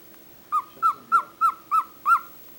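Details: Cockatiel, a great talker, gives six short clipped whistle notes at an even pitch, spaced about a third of a second apart.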